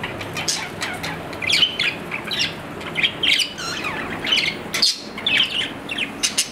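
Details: Captive budgerigar, an Australian parrot, uttering a run of harsh squawks and chattering chirps in bursts roughly every second, with a constant low hum behind.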